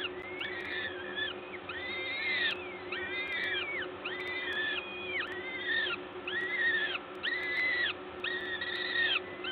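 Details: Peregrine falcons at a nest site at LOTOS in Gdańsk, 14 May 2022 around 11:07, during feeding by a parent: drawn-out, harmonic wailing calls that rise then level off, repeated roughly every second over a steady low hum.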